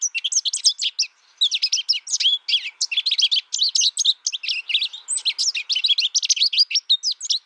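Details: Rapid, jumbled twittering by an American goldfinch: bright high notes and slurs in nearly unbroken succession, with one short lull early on.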